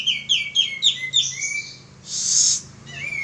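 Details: Male pied triller giving a quick chain of about six downward-slurred whistles ending in a long slide, followed by a loud hissing burst and one more whistle.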